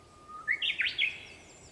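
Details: A Japanese bush warbler (Horornis diphone) sings at sunrise, around 5 a.m. on 4 May 2021: a steady low whistled note leaping into a quick, bright, rising-and-falling flourish within about a second, over a quiet background.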